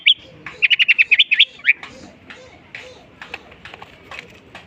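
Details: Long-tailed shrike singing and copying other birds' voices: a quick rattling trill of about ten bright notes, then softer, fainter scattered chirps over steady background noise.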